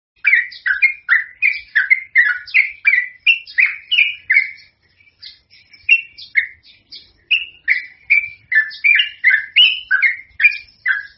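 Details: Yellow-vented bulbul (trucukan) in full, constant song with long rapid runs, used to lure or prompt other birds: bright fluting phrases repeated about two to three times a second, each sliding down, with a brief pause near five seconds.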